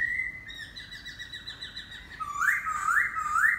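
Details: Laughingthrush song: a long, steady whistle with fast rippling pulses over it, then loud rising and falling whistled notes repeated about three times.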